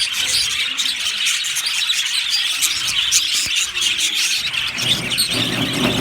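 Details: Budgies chirp happily in a colony aviary, an unbroken high chatter of many overlapping tweets and squeaks, with a brief low rustle near the end.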